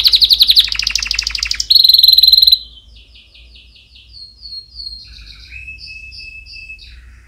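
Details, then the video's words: Canary song for teaching chicks: loud rapid rattling rolls and a ringing buzzy trill open the phrase, which fades into softer pulsed notes and drawn-out thin whistles. "Canary Singing - Most Spectacular HD Video Training For Chicks"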